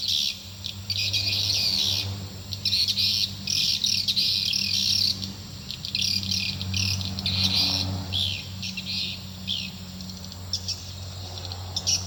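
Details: Swiftlet sound used to lure birds into a nesting house: continuous shrill chattering twitters in overlapping bursts with brief pauses, a low droning hum running underneath throughout.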